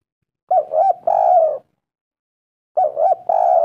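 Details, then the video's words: Spotted dove call for luring other doves into replying: two loud melodious phrases, each two quick coos then a long level coo, separated by about a second of silence. "Pancingan tekukur gacor sekali putar langsung nyaut suara merdu nyaring"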